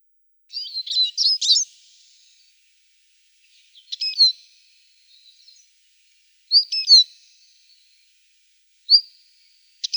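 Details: Eurasian siskin giving short bursts of high twittering and clipped chirps, with thin drawn-out whistled notes, in four separated phrases spaced about two to three seconds apart against a quiet background.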